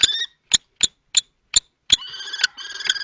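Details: At a nest box in Théding, France, 20 March 2024, two male common kestrels contest ownership. A few isolated, sharp high notes are spaced out, then give way to a drawn-out, trilling whine.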